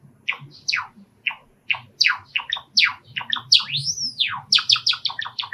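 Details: Excited by the voices of outdoor sparrows heard through a screened window, a caged-pet male sakura Java sparrow sings a steady string of sharp descending chips building to one bell-like arched whistle and a rapid clicking finish.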